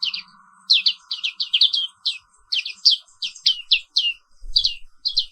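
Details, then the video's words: Caged black-capped white-eye from Papua singing in the morning: quick series of high down-slurred chirps in bursts, over a steady faint low hum. "Suara Terapi Pagi Pleci Papua Wiklus"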